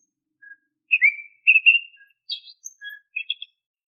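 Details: Oriental magpie-robin whistled song, used as a lure to get caged birds singing: clear high whistled notes and short slurred phrases with brief gaps, some falling, some warbled, ending in quick chirped notes.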